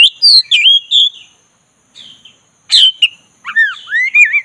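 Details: Rolling, relaxed song of a black-breasted Oriental magpie-robin, played to provoke a dull bird into singing: a quick run of bright whistled notes, a pause, then a sharp burst and twisting up-and-down whistles, over a faint steady high whine.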